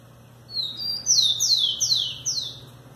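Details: Rufous-collared sparrow, called tico-tico, singing: a thin steady high whistle, then four loud downslurred whistles sweeping from very high to mid pitch, spaced about half a second apart, over a faint low hum.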